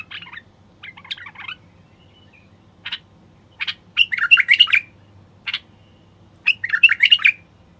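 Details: Singing male bulbul used to spur quiet wild bulbuls into song and mating. Short single notes lead into rich, bubbling warbled phrases, about three phrases over eight seconds, over a faint hum.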